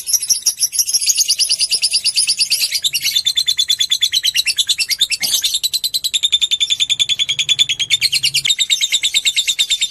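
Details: Lovebird giving the long 'ngekek' trill, a lure to stimulate other lovebirds: an unbroken, rapid, harsh chattering trill of fast even pulses, high and rasping, sustained for the full ten seconds with slight shifts in pitch.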